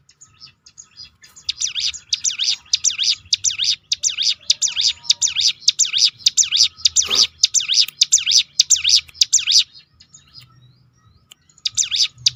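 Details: Hill prinia giving a rolling 'tembakan' call used to provoke other birds into singing: rapid, high, sharply rising-and-falling notes repeated nearly twice a second in long runs, with a brief pause near the end.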